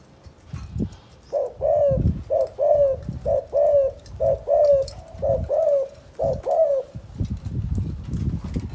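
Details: Calling spotted dove, Can Tho, Vietnam, 'chụp chụp ô' style: a series of soft paired coos, each pair slightly falling, over low rumbling handling or wind noise at the start and end.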